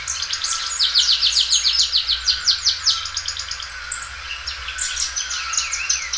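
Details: Belgian canary, a well-kept loud singer, doubling its song: fast repeated high sweeping notes in a rolling rhythm, then chips and a wavering whistled phrase.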